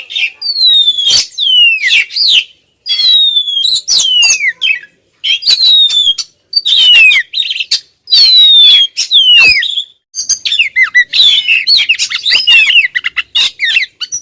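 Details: Female white-rumped shama persistently calling at a male, repeated loud descending whistles interleaved with sharp clicks and chatter, in bursts separated by brief silences, growing more jumbled toward the end.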